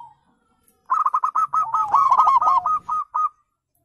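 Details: Wild zebra dove call, used as playback to lure birds into answering: after a short silence, a quick run of about a dozen clipped, mellow cooing notes at a steady mid pitch, delivered in roughly two and a half seconds.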